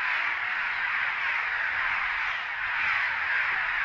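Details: Cliff swallows calling at a busy nesting colony under a bridge at Big Stone NWR, disturbed by a GoPro held over the side near their nests; a dense, continuous wash of overlapping chattering calls with no clear gaps.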